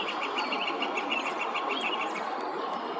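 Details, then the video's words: In spring in Pennsylvania's Susquehanna Valley, a Northern Flicker calls from a tree beside a creek, giving a rapid series of loud, even notes over the steady rush of the water. "Nearby, a Northern Flicker was up in a tree calling out."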